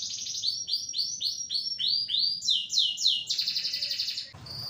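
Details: Excitable canary singing a series of falling swept whistles, repeated roughly four per second and gradually rising in pitch, ending in a dense high trill.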